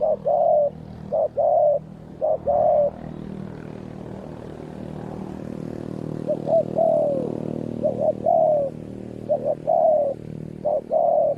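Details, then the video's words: Spotted dove calling during decoy trapping of wild doves; bursts of short and drawn-out coos at both ends, while a loud droning aircraft engine swells through the middle. "นกป่าดุมาก เสียงดี มีคารม มีเปลี่ยน มีหนุน"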